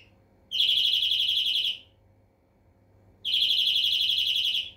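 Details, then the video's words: Greenfinch singing two long, rapidly pulsed buzzing trills, each roughly a second and a quarter, at an even high pitch with a pause of about a second and a half between them; background otherwise quiet. "Flurya Kuşu ötümü"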